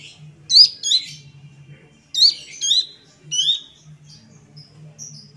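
A young Sunda bush warbler sings bright, high whistled phrases of quick slurred notes, with a faint low hum behind.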